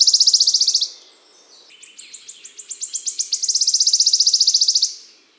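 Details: Spring song of a wood warbler recorded in the Czech Republic. The clip opens with the end of a ringing trill, then a quiet gap. A new series of sharp ticks follows, growing faster until they merge into a sustained, shimmering trill.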